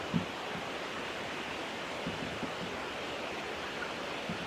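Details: Steady broadband rushing noise like wind or running water outdoors, with no animal calls.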